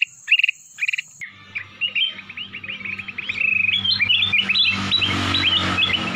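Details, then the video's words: A black-crested bulbul, whose crystal-clear voice is used as a master song for training white-rumped shamas, pours out a fast run of short, bright whistled notes that flick up and down in pitch, over a low steady hum. "cucak kuning atau kutilang emas, burung cantik, bersuara kristal"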